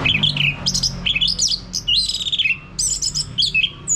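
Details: Orange-headed thrush male in ngeplong song, played to prompt another male to sing: a rapid, continuous run of bright, high whistles and slurred notes with sharp rising and falling twists, and a faint low hum behind.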